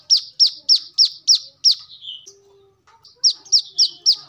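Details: A brown-throated sunbird, used as a lure and as a song model for training birds, gives a regular series of high, downslurred chips, then a short pause before the series resumes.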